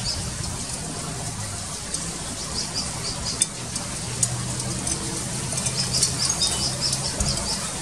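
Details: Malaysian pied fantail chicks give faint, thin, high chirps in quick irregular bursts as they wait for food from their mother, over a steady low rumble and background hiss.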